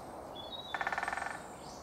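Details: In a local wood, a Great Spotted Woodpecker drums to mark its patch of woodland: a single crisp roll of about a dozen fast, evenly spaced strikes lasting half a second, after a faint thin whistle from another bird.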